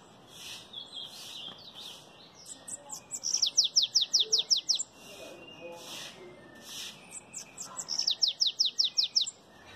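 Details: A sibite repeats its belga chapado phrase twice. Each phrase is a fast series of high, falling notes, and hissing, breathy bursts and faint lower sounds fill the gaps between them.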